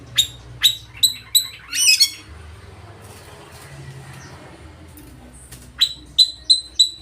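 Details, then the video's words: Oriental magpie-robin singing loudly, a rich varied song meant to provoke rivals into singing and fanning their tails; short bright whistled notes at the start and again near the end, separated by a quiet gap. "Kacer ngeplay full materi mewah suara keras bikin lawan ikut gacor dan buka ekor"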